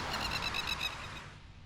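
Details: A Masked Lapwing (plover) on the South Australian coast near Adelaide gives a fast, strident rattle of about eight sharp, harsh notes in just over a second, then fades, over a low rumble of wind.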